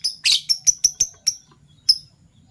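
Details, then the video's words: Morning chirping from Fischer's lovebirds of violet and gold opaline colour forms: a rough opening note, then a quick run of six sharp, high, clipped chirps, a pause and one final chirp. "Lovebird Chirping Sounds - PB Violet Fischer & Euwing Gold Opaline Fischer"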